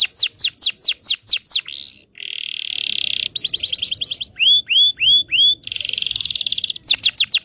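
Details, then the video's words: Indonesian local canary song for training young birds: rapid falling notes, a sweeping slur, a deep buzzy roll, a fast trill, three slurred whistles, another rolling trill and more quick falling notes. "PANCINGAN KENARI MACET BUNYI.. PANCINGAN KENARI PAUD BELAJAR BUNYI"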